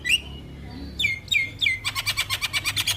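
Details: Javan myna song played to coax a silent myna into singing: whistled rising and falling notes, then a fast run of buzzy repeated chips about five per second.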